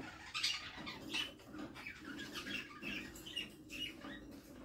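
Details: Budgerigar mother feeding her chicks inside a nest box; a run of short, raspy high squeaks and chirps in quick bursts, with soft rustling between them.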